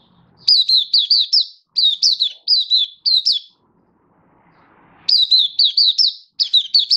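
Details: Oriental white-eye keeping up its song, recorded 24 February 2023: clusters of four or five thin, high, falling chirps, repeated several times, then a pause of over a second before the bursts resume.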